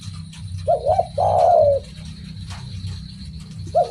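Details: Spotted dove (derkuku) coo phrase: two quick short notes, then a long, rich, slightly falling coo, and a short note at the end. Low hum underneath.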